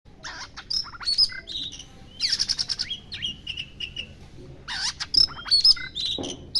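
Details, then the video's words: White-rumped shama singing while bathing: varied whistled phrases, with clear high notes and lower steady whistles mixed with harsher bursts, all over a noisy background. "kacer Jordan Ketika sedang Mandi"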